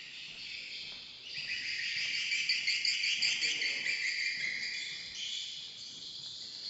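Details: At a swiftlet bird house in Kota Klias, Beaufort, Sabah, many swiftlets make a steady wash of shrill, high twittering chirps that swells louder midway, then eases slightly toward the end.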